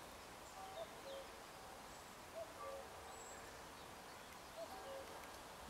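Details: Spring song of a common cuckoo alongside church bells: soft two-note calls, the second lower, heard three times at a distance amid steady ambient noise.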